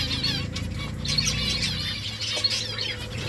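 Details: Finches eating rice keep up a busy stream of high, quick chirps, a few brighter notes standing out, over constant low hum and light rustling.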